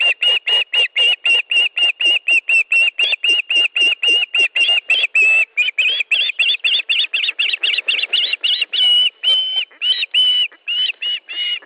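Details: Osprey at its nest in Estonia on 13 July 2013 at 17:58, during a fish delivery: a rapid, loud series of short, high whistled chirps, about four per second, becoming more varied and drawn-out toward the end.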